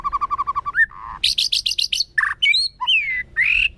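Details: White-rumped shama in forest-voice song, kéo thuốc lào style, for provoking wild birds: a quick run of eight even whistled notes, a low rasp, rapid high buzzy bursts, then rising and falling slurred whistles.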